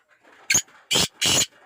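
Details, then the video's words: Three loud, scratchy, broadband notes from a black francolin (kala teetar). A brief first note is followed by two longer rasps, over faint background murmur. "Pure laka kala teetar ki awaz"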